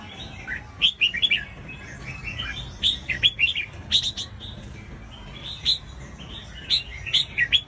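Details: Red-whiskered bulbul song used to make other bulbuls sing: short bursts of bright, warbled, liquid notes, each phrase of three to five rising and falling whistles, with pauses between phrases over a low background hum.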